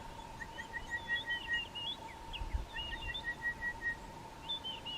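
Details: Orange-breasted bush-shrike, a male in thicket on an early-morning game drive: a run of short, clear whistled notes, evenly spaced, while other birds chirp higher up over a steady drone and low rumbles.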